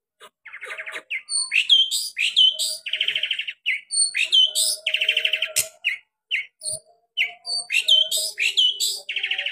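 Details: Long-tailed shrike song with sharp 'tembakan' shooting variations, mixing clear whistled notes that slide downward with fast buzzy trills and varied rapid phrases in quick succession.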